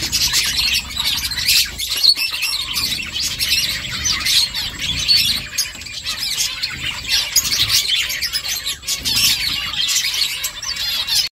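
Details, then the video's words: Finches chirping as they make a nest, a busy chorus of rapid high tweets, squeaky twitters and short trills from several birds, nearly unbroken, with occasional slightly louder peaks and low background hum. "Finches chirping sounds Finches making nest"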